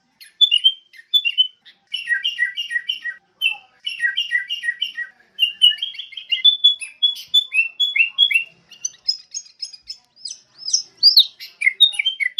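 Sooty-headed bulbul: bright, chirpy phrases of short liquid notes repeated in quick bursts, with no other sounds.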